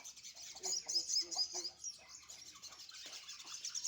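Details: Sunbird in the morning sun, likely a caged bird set out for morning sunning; high, thin twittering with rapid squeaky notes, strongest in the first two seconds, then softer chatter.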